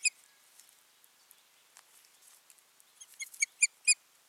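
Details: Osprey pair at their nest, recorded 14 June 2019: a single sharp chirp, quiet rustling, then a quickening series of shrill whistled notes near the end.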